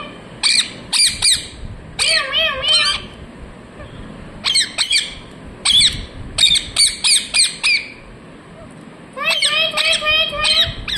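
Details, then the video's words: Parrot talking, "mithu mithu": rapid runs of loud, raspy, voice-like syllables in groups of two to five, separated by short pauses, ending with a long buzzy string of notes. "Parrot talking mithu mithu"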